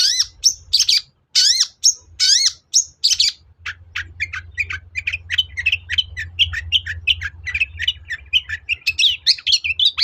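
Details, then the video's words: Long-tailed shrike song meant to provoke singing: it opens with loud, harsh, rising squawking notes, then runs into a long, rapid stream of varied clicks and chirps over a steady low hum. "SUARA PANCINGAN BURUNG CENDET AGAR EMOSI & NYAUT GACOR"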